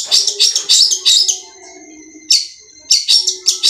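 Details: Madura cendet, the long-tailed shrike, in full gacor song, tembakan kuntilanak style linked with bessetan: rapid chains of rasping high chatter, a quiet pause of about a second, then renewed scratchy bursts.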